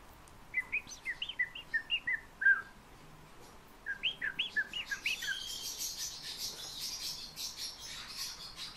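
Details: Fieldfare song: two bursts of short, squeaky whistled notes in quick rhythmic runs, each run of about seven to eight notes, followed by a softer, high, hissing chatter that trails off.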